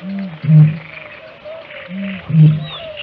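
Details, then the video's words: A Eurasian (great) bittern booms sporadically, twice: each a soft intake then a deep, hollow, very low foghorn-like 'oomp' about two seconds apart, over thick faint ambience. "Sporadic Great Bittern boom, very low-pitched, hollow sound"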